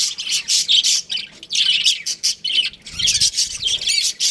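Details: Aviary of baby budgerigars giving bursts of shrill chirping and chattering, in pulses separated by short quieter gaps, with a soft low rumble near the three-second mark.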